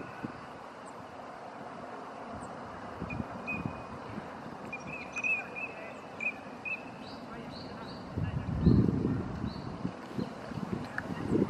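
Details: Eurasian teal calling while swimming on Shirakashi pond in Izumi-no-mori on 25 March 2017, with a breast-lifting courtship movement. Short, high whistled calls come in a brief series over steady low outdoor rumble and wind.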